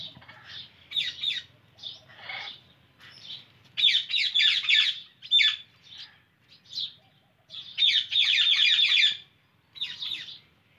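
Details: A rose-ringed (Indian ringneck) parakeet gives harsh, grating screeches and chattering bursts, often in quick runs of several notes, over a faint low background hum.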